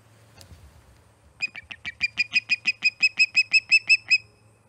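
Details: Osprey at a nest in Charlo, Montana, on 16 September 2019: a faint tap, then a run of about fourteen sharp, high chirps in steady rhythm, each note clear and evenly spaced, ending abruptly.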